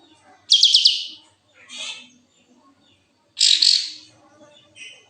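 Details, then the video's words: Kapas tembak in breeding condition, tail spread, giving two loud, harsh, buzzy bursts about three seconds apart, each trailed by a softer short rasp, with near silence between them. "full kapas tembak gacor buka ekor birahi"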